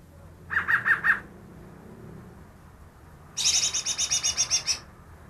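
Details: A newly caught greater green leafbird, reputed to copy ten bird species, sings four quick mid-pitched chips, then after a pause a long high rattling series of about a dozen pulses.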